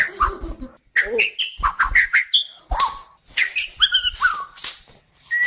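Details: White-crowned shama song variations, used to tutor and provoke other songbirds: clear whistled notes and slurred phrases broken by short pauses, with deep thumping knocks underneath during the opening and middle.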